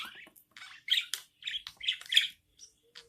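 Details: Newborn budgerigar chicks begging while their mother feeds them: short raspy chirps in uneven bursts, several quick ones clustered near the middle, with quiet gaps between.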